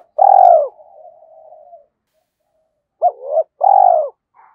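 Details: Spotted dove acting as a decoy and stimulated to coo, 'giọng thổ' voice: a long hollow coo trailing into a soft wavering murmur, a pause, then a hiccuping double note and another deep drawn-out coo.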